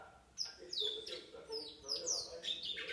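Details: A seven-month-old chestnut-bellied seed finch sings a run of high, clear whistles, each sliding quickly downward, several a second, over a low murmur of voices.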